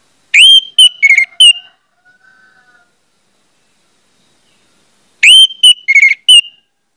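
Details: Orange-headed thrush, used as a lure to prompt other orange-headed thrushes to sing, giving a loud, clear whistled phrase of several quick notes, repeated identically after about four seconds of quiet; music plays throughout.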